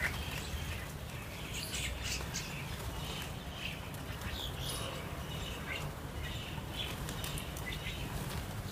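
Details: A flock of jungle mynas gathered to feed on their favourite food gives scattered, overlapping squeaky chirps and harsh notes over a steady low rumble of wind or handling noise.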